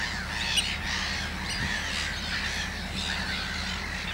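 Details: Softer, more distant harsh rasping calls of common terns attending very young chicks in the Gothenburg archipelago, Sweden, over a constant low wind hiss, ending abruptly.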